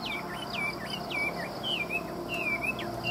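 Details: A Chinese hwamei, a singer offered by a Vietnamese seller, gives a series of clear, looping whistles that swoop down and up, spaced roughly every half second, against faint background hum.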